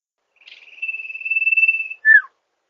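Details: Song of the Sirpu/Sirdung bird, played as a lure: a steady high whistle that starts with a faintly pulsed texture, followed by one sharp falling slur. Quiet background.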